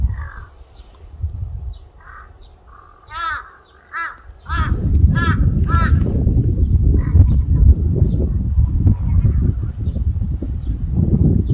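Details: Crow cawing: a few scattered calls, then a rapid burst of about six harsh, arched caws in a row, before loud low rumbling noise, likely wind, takes over.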